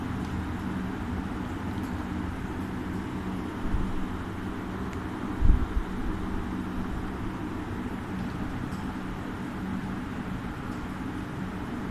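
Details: Low, steady rumble of traffic and wind, with a couple of brief thumps and no animal voice.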